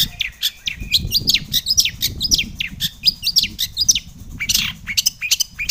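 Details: Long-tailed shrike in full varied song used as a lure to make other shrikes sing: rapid, busy stream of sharp chirps and short high whistles, loud and continuous, with faint low rumble beneath.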